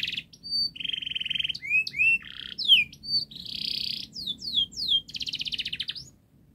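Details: Canary singing a fast, dense song to train young canaries: buzzy flat trills alternating with bright upslurred and downslurred whistles and quick repeated notes, fading at the end.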